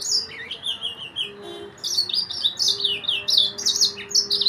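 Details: Yellow-fronted canary, called the Mozambique or Sudan finch, delivering a fast run of high twittering notes, rapid slurred chirps and falling trills repeated continuously, with a faint steady low hum behind.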